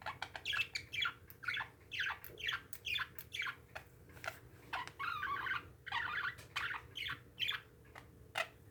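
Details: Pet parakeets chatter busily, raspy downslurred squawks and quick chirps tumbling about twice a second, with an indoor hum.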